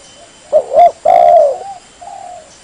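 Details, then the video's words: Spotted dove lure call used for trapping birds: a mid-pitched coo phrase of two short rounded notes, then a longer falling coo and two soft trailing notes, with faint steady background hiss. "SUARA PIKAT BURUNG TEKUKUR"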